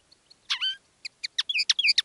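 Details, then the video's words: Decoy linnet singing live, one of two birds in different styles: a short buzzy rasp with falling harmonics followed by a quickening string of crisp chirps and little whistled slurs. "Canto del Pardillo"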